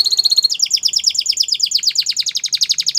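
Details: Canary song for stimulating a quiet bird to sing again: rapid high trill of repeated notes, about two per tenth-second, first flat then sliding downward in quick descending strokes, bright and continuous.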